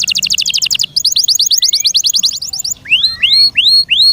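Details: Caged canary singing a fast high trill, then a run of quick repeated chirps, finishing with slower rising whistled slurs about two a second.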